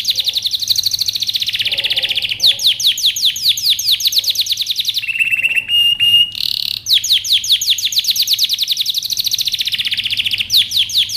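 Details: Canary song used for training, with a long run of fast sweeping trills and dense rolls, broken midway by a short, flat, buzzy whistled tone, then returning to rapid repeated notes.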